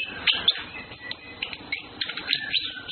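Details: Orange-headed thrush, males and females flirting: faint, scattered short whistles and chirps with a few brighter high notes, separated by quieter gaps and low background rumble.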